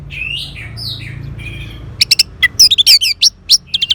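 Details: Orange-headed thrush, a cage bird in northern Bali, Indonesia, singing a song meant to stimulate another bird to sing: soft slurred notes at first, then a quick series of sharp, loud, high chirps and whistles.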